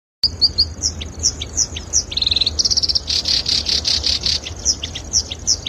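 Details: Black-browed reed warbler song used as a training model for songbirds: fast varied high chirps and whistles, a buzzy rattling stretch in the middle, with a low hum underneath.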